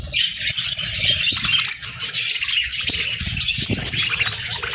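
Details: Morning chatter of budgerigars: continuous overlapping high chirps and scratchy warbles from a group, with soft low knocks and rustling in the background.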